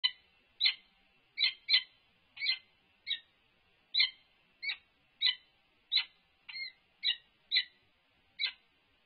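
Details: Peregrine falcon, an unknown male interacting with the resident female from on top of a nest box at UC Berkeley, 3 November 2021. Short harsh harmonic calls repeat about every half-second in a steady series, with otherwise quiet background.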